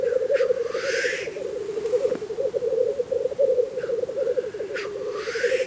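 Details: Black grouse displaying at a spring lek in Russia: a continuous low bubbling, cooing drone runs throughout, broken by three loud hissing, sneeze-like whooshes that sweep upward.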